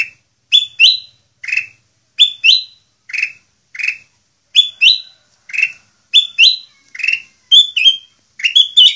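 Ruby-throated bulbul singing a lively run of short, clear whistled phrases, several per second, bright and slightly rising, with no other sounds.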